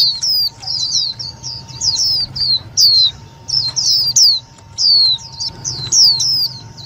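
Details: Calls of the Indian white-eye, used to trap and excite other white-eyes: loud, high, down-slurred chirps in fast runs of three to five notes, pausing briefly between bursts, over a low background hum.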